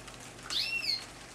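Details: Young common blackbird fledgling, recently out of the nest, living in a house patio by a feeder where its parents showed it to feed; one short high thin call, a quick sweep then a sharper whistled note, otherwise quiet.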